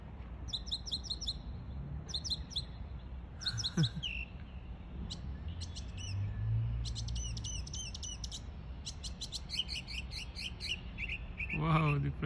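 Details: Mockingbird mimicking other birds, a varied run of sharp repeated chips, rapid trills and brief whistled phrases, changing pattern every few seconds, against continuous low rumbling background noise.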